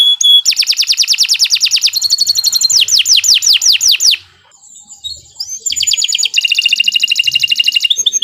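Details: A canary sings nonstop as a training recording: a fast trill, then a run of falling whistles, a brief lull with a soft rising note, then another dense high trill of rapid pulses.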